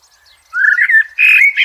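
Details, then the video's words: Blackbird singing in nature: a low, fluted warbling phrase sliding between mellow whistled notes, ending in a brighter, squeakier flourish. "sounds of the Blackbird bird in nature"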